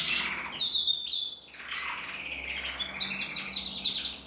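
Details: Cock canary in red mosaic isabel colouring, from a breeding room, 2024: piercing whistled notes open, then quick high trills and chirps, ending in a bright rolling phrase.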